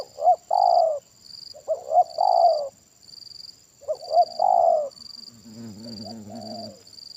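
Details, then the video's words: Big-voiced Spotted dove in the kuk satu style, heard while a decoy bird is used for trapping. Two full phrases of two quick hoots and a long falling coo, then a softer, lower, wavering coo near the end. A constant shrill insect drone plays behind. "Permainan Tekukur Suara Besar Kuk Satu Ini Luar Biasa"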